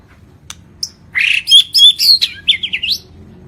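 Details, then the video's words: White-rumped shama, Lampung type, in full vigorous song: a few isolated ticks, then a burst of loud clear whistled notes and slurred phrases, several each second, with quieter twittering runs at the end. "SUARA BURUNG MURAI BATU LAMPUNG ISIAN KOMPLIT GACOR"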